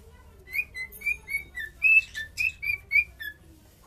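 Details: Cockatiel song of short clear whistles, some level and some gently rising or falling, delivered in an uneven series with a couple of scratchy chirps mixed in.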